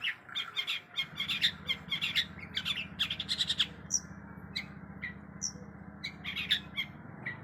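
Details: Long-tailed shrike in a richly filled song, a dense run of sharp chirps and scratchy notes in the first half, then scattered high squeaky notes with pauses, over a steady low hum.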